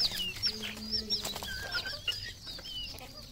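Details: Farmed red junglefowl in Cambodia call together, with steady low murmuring tones under many sharp, high whistled peeps and chirps from several birds at once.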